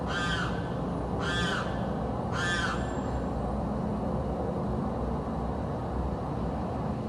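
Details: Bird in South Florida that screams day and night: three harsh, nasal screaming calls about a second apart in the first three seconds, then steady background hiss.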